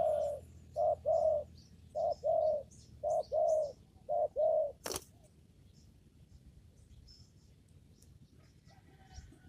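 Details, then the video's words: A spotted dove in a papaya garden, during trapping with a lure, repeats low short-long coos about five times, then a loud sharp click and faint high chirps of other birds in a quiet background. "mikat burung tekukur di kebun pepaya"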